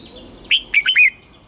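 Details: Red-whiskered bulbul lure bird singing to attract wild bulbuls for fighting: a clear whistled note, then three quick lilting notes dipping and rising, the final one longest and falling.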